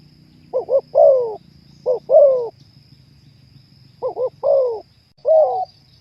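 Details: Spotted dove (terkukur) song: clusters of two quick low coos each followed by a longer falling coo, spaced irregularly with pauses, over a faint steady whine and low background rumble.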